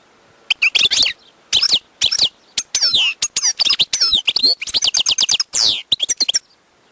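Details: Wild European goldfinch pouring out a lively, varied song of tinkling twitters, slurred whistles, buzzy notes and short rattling trills in quick phrases.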